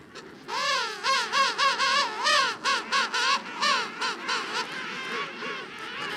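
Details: King penguin in a large, constantly noisy colony, calling with a loud musical trumpeting made of rapid rising-and-falling warbled pulses, several per second, fading toward the end, with background colony chatter.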